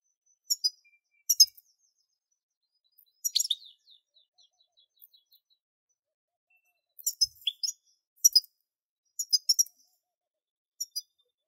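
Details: A European goldfinch sings scattered bursts of sharp, bright chirps and short twittering phrases, separated by gaps of silence over about eleven seconds; no other noise.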